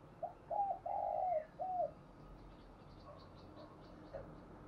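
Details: In the morning, a spotted dove calls to lure: a phrase of four low hollow coos, the third long and drawn out, then faint distant calls over steady background hiss.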